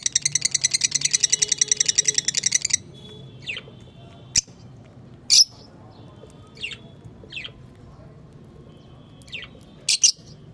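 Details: Lovebirds chirping: a rapid, even burst of sharp high chirps for nearly three seconds, followed by scattered single squeaky chirps and short rising notes at irregular intervals, with quiet between them.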